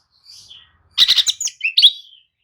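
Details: Brief Oriental magpie-robin lure song to get lethargic birds answering: a soft high whistle, then a loud cluster of sharp chirps and a clear slurred whistle.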